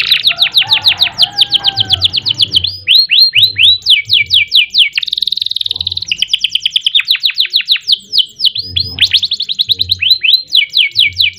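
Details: Long canary performance in ngerek, ngerol, nembak style: fast trills of high chips, runs of loud sweeping downslurred whistles, a buzzy rolling section at mid-song and renewed rapid trilling; light low thuds throughout.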